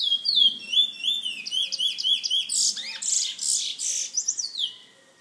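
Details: Bullfinch kept by a bird lovers association member in San Fernando, singing a rapid run of high whistled, looping notes that rise and fall, then breaking into harsher buzzy bursts before ending on steady whistles.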